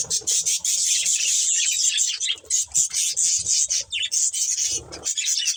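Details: Budgerigar breeding pair, kept as pets, chattering continuously in a dense run of high, buzzy, scratchy chirps and warbles, with a few short squawky notes and faint low thumps underneath.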